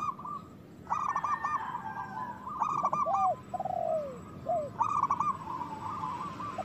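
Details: Zebra dove song from a local bird used to trigger singing and breeding in other doves: three bursts of rapid stuttering coos, with low curved notes and a falling drawn-out phrase between them, over a soft hiss.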